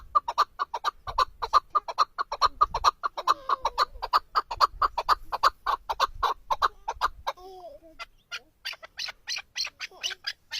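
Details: Male chukar partridge kept as a hunting bird, giving a long run of rapid, evenly spaced clucking chuk notes, several per second for about seven seconds, then a short pause and a higher, more varied series of sharp notes.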